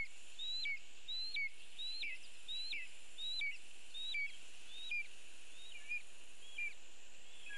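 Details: Lesser spotted eagle calling at its nest in a birch, Latvia, during delivery of a bird, caught by a live nest camera. About ten high, downslurred two-part yelps repeat roughly every 0.7 seconds against steady hiss.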